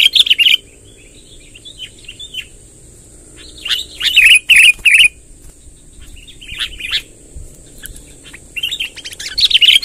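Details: Long rolling lure song of a sooty-headed bulbul to draw wild birds: separated bursts of loud bubbly whistles with quiet gaps between, strongest around four to five seconds, faint continuous high tone.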